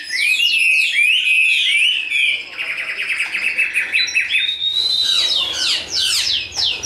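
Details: Chinese hwamei kept for sale, described as very tame, large-bodied and a spread-wing fighter; loud rich song of rapid whistled slurs sweeping down, then rising clear notes and buzzy trills, continuous and varied.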